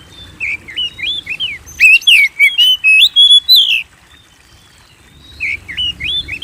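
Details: White-rumped shama singing to provoke kept birds into song: a burst of rich, varied whistles and slurred notes lasting about two seconds, then a pause before softer whistled phrases resume.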